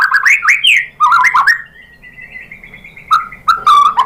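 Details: Murai batu, the white-rumped shama, in a provoking lure song: loud, varied whistled phrases that rise and fall, a thin sustained high note in the middle, then short rich warbles.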